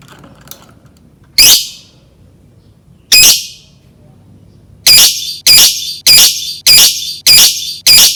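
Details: Lovebird giving the 'ngetik' song style, played as a lure to trigger another lovebird's song: two separate harsh, high squawky bursts, then a run of six sharp chattering notes spaced about half a second apart, indoors.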